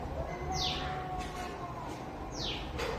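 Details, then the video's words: Small bird heard from a balcony, hidden from view and seemingly calling for its mother; two loud high notes sliding steeply downward, spaced about two seconds apart, with low hum and faint background tones. "బాల్కనీలో పక్షి అరుపులు"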